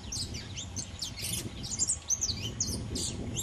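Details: A free-flying saffron finch (Sicalis flaveola pelzelni) sings a busy stream of sharp, high chips and short slurred notes, some overlapping, over a low background rumble.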